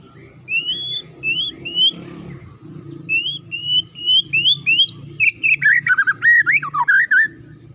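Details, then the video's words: Whistled magpie-robin song used to goad other birds into replying: a series of short upslurred whistles, about one per half second, then a fast jumble of high warbles and chips. "DIJAMIN Langsung NYAUT dan NGAMUK Pake Suara TAJAM Murai ini"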